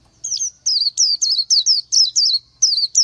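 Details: Oriental white-eye singing a series of high, wavering, downslurred whistled notes, evenly spaced about three per second, over a faint low hum.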